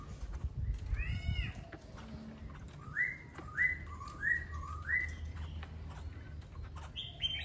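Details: Laughingthrush song: an opening arched whistle, then a series of five short rising whistled notes given at an even pace, closing with a higher note, over low background noise.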